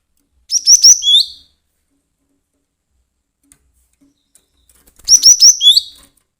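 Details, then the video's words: Cinereous tit used as a lure for bird trapping calls in two separate bursts about four seconds apart. Each burst is a fast series of shrill rising chirps that ends in a lower buzzy note, with silence between. "Burung Glatik Emosi AMPUH buat pancingan Mikat"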